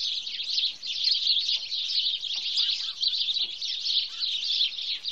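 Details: Many house sparrows chirp at once in Wittlich, 2017, a ceaseless bright twittering wall of short tweets, slightly swelling and fading, with a few faint lower notes beneath.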